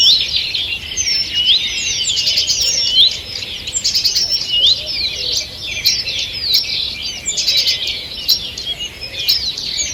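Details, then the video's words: Morning birdsong in a forest, 2 June 2023: a continuous, lively chorus of many birds, rapid high twitters and clear sweeping whistles overlapping without pause. "Утреннее пение птиц"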